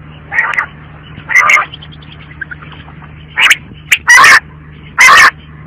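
A quail gives short, harsh, raspy bursts, five or six spaced irregularly about a second apart, over a low steady hum.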